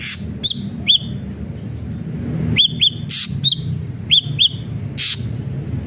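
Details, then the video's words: Ashy drongo with sparse arched whistles, singly and in pairs, spaced by pauses and sharp clicks, with low-pitched background noise throughout. "srigunting abu abu gacor"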